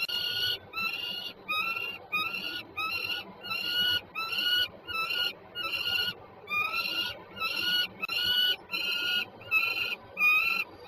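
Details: Two peregrine falcons at Żerań, Warsaw, on 26 September 2022: a long series of harsh, harmonic, slightly rising calls repeated at a steady pace of under one per second, with low background hum.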